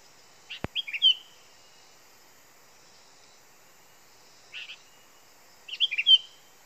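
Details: Sooty-headed bulbul heard in a recording meant for luring: three short bursts of bright, bubbly chirps and rolling whistled notes, separated by pauses of several seconds, with one sharp click near the start over a faint high ringing tone.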